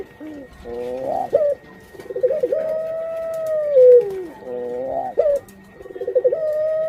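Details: Female puter pelung dove about to lay, repeating a pattern of quavering stepped notes followed by a long smooth coo that drops away at the end, clean and close.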